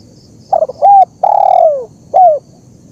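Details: Loud spotted dove phrase, used to train captive doves or lure wild ones: brief doubled introductory notes, a level coo, a drawn-out coo that drops steadily in pitch, then one short falling note.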